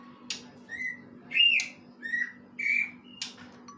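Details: Greater green leafbird imitating a kingfisher with short whistled notes, mostly level with slight wavers, given irregularly, along with a couple of brief clicks.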